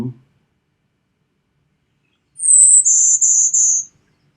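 Golden-winged Warbler song: one very high, buzzy note followed by three slightly lower, rapid buzzes, the whole phrase lasting about a second and a half.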